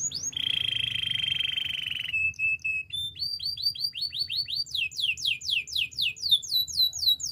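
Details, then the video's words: Spanish timbrado canary in training song: a long steady ringing trill, a brief lower note, then accelerating series of sharp downward-sweeping whistles. "Canary singing for training - Spanish timbrado song"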